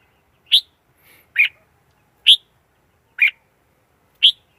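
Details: Red-whiskered bulbul decoy bird singing in a standard-voice lure recording used for trapping wild birds, free of background noise: five short, bright, warbled phrases about one per second, with silence between them.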